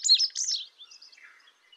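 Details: Indigo bunting giving two loud, sweeping high notes over a short rapid pulse series, then a quieter, trailing jumble of thin notes.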